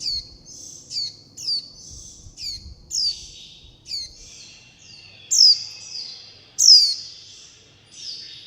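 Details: Young warbling white-eyes calling to their mother and flock, begging for food: thin, high, downslurred chirps, each trailing into a softer buzzy note, given in an irregular series of about ten, two of them noticeably louder.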